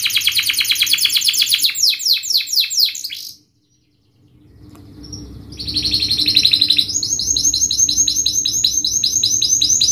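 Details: Canary singing a fast, dense, sharp lure song for young canaries learning to sing: rapid repeated downslurred notes and buzzy trills, a brief silent pause, then a long rolling rattle of quick repeated notes.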